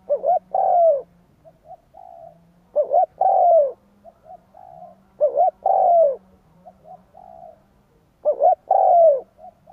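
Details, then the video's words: Spotted dove full cooing sequence for luring wild doves: loud phrases roughly every two and a half seconds, each a double note and falling coo, with softer short coos and a low hum between. "Tiếng cu gáy kích bổi cực nhạy / CU gáy thúc gù gáy đủ bài kích bổi cực nhạy"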